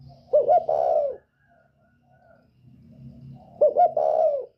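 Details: Northern Vietnamese spotted dove with a 'còi bổi' voice, used to provoke other birds, gives two loud, emphatic cooing phrases about three seconds apart, with faint low hum and rustling between them.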